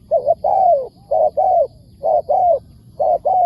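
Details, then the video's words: Spotted dove in the wild, calling back to a decoy bird: three sets of mellow coos, each two quick notes followed by a longer drawn-out falling coo, delivered steadily. "เสียงดี มีคารมป่า"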